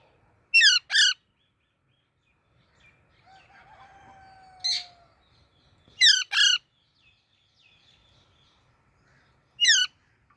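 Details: Baby parrot chirping: scattered pairs of short, harsh, rasping calls separated by quiet pauses of a few seconds, with a faint thin whistle and a soft falling tone in between.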